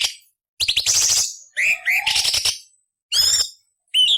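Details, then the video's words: Cucak cungkok song used as training material for murai, cucak ijo and kacer, in harsh rasping nyerecet style: a high buzzy rattle, rising whistled slurs, a low sliding whistle, then more dense scratchy bursts separated by short pauses. "Masteran Burung Cucak Cungkok Istimewa - Isian Variasi Beset Nyerecet Kasar untuk Murai C.Ijo Kacer"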